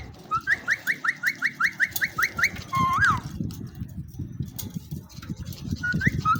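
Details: Male Indian ringneck parakeet, a pet said to be talking, gives a quick run of about ten short rising whistled notes, then one swooping whistle, over low rumbling room noise.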